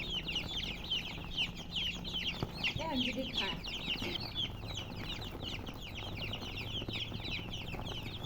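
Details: Chicken chicks chirping as a group: rapid, shrill, down-slurred peeps in a steady stream, joined briefly near the middle by a lower, rounder sound, with a soft hum underneath.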